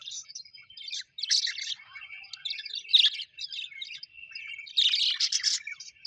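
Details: Happy pet budgerigars give bursts of scratchy, squeaky chirps separated by softer warbling. The loudest clusters come around the first, third and fifth seconds.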